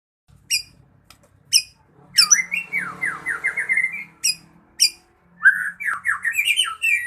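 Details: Fighter-type white-rumped shama, ringed, singing sharp high clicks and chips, then a long run of rapid rising whistled notes and rattling phrases, with quiet pauses between bursts.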